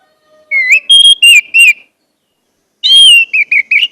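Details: Orange-headed thrush song meant to get a silent bird singing quickly: a phrase of four loud, clear whistles, a short silence, then a bright drawn-out whistle followed by a rapid string of chirping notes.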